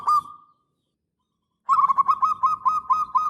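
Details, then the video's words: Local zebra dove, used as a lure and master: a lone drawn-out coo, a pause, then a rolling run of about eight quick, slightly buzzy cooing notes. "Perkutut Lokal GACOR !! Suara ANGKATAN PANJANG"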